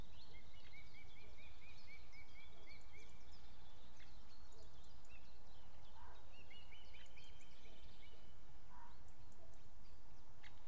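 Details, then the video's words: Osprey on a foggy September 2018 day in Estonia: two strings of quick, rising whistled chirps, each repeated several times, heard through heavy hiss and background noise with a few faint short notes between them. "Estonia Osprey Foggy"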